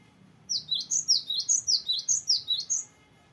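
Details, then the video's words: Cinereous tit in lively voice with the long varied rolling song used to train or lure young birds. A brisk, even sequence of about twelve piercing downslurred whistles comes in close pairs over quiet background. "GELATIK BATU GACOR NGEROLL PANJANG BERVARIASI"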